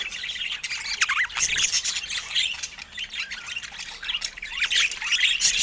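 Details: Pet budgerigars chirping: busy, scratchy warbles and quick up-and-down whistled notes, overlapping and continuous, with brief squawks.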